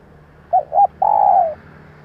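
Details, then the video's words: Female spotted dove, called to stimulate fresh-caught birds and make decoys call fast: a single phrase of two short notes followed by an extended, gently falling coo, with a low hum beneath. "Kích bổi - tập mồi nhanh nổi Hiệu Quả bằng tiếng chim cu gáy mái / Tiếng cu gáy mái"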